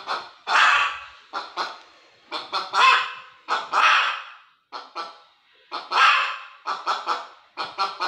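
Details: Hen giving loud, harsh squawking calls in repeated bouts, each a long rasping note followed by two or three short clipped ones, with brief pauses between bouts over about eight seconds.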